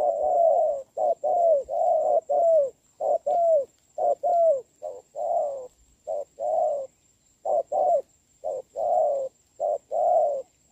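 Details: Spotted dove duel in rain, 26 November 2022: a trained decoy draws down a large wild bird that coos well; throaty mid-low coo phrases follow one another almost without pause, each note slightly falling.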